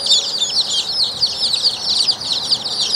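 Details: Buff ducklings giving a continuous chorus of high, thin peeping calls, many overlapping chirps repeated rapidly with no pause.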